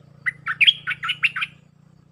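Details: Red-whiskered bulbul giving a packed 'sap dok' song phrase for training young birds: about seven quick, rich whistled notes in just over a second, set against a faint continuous low hum.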